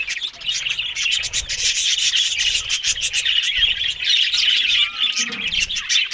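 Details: Australian budgerigars eating green food in the morning: dense, continuous high chirping and warbling chatter from several birds, mixed with rubbing, scratching clicks and rustling from feeding.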